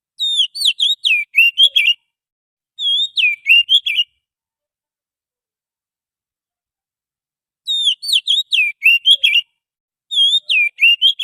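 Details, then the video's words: Wild forest Oriental magpie-robin singing as a lure sound. Four bursts of rapid, varied whistled phrases come in pairs separated by pauses, with bright notes sweeping up and down. "suara pikat burung Kacer asli hutan,suara pancingan kacer"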